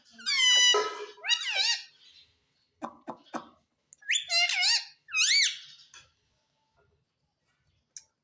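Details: Pet rose-ringed parakeet, a green ringneck kept indoors, talking and said to say "mummy": loud harmonic, wavering squawked syllables in two bursts, then short clicks and a further pair of bending, rising-falling vocal phrases, in a small room.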